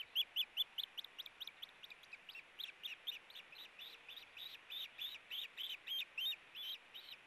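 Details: Ospreys tugging at a fish together at the Hellgate nest on 4 August 2018: a long, insistent series of loud, high whistled chirps, roughly two to three per second throughout, slightly shrill and evenly pitched.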